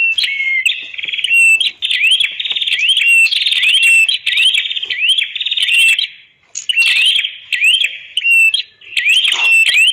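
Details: Red-headed prenjak (prinia) song used as a master recording to train other cage birds. Buzzy, rattling phrases with sharp rising whistled upsweeps, repeated rapidly with short gaps, plus high thin ticks.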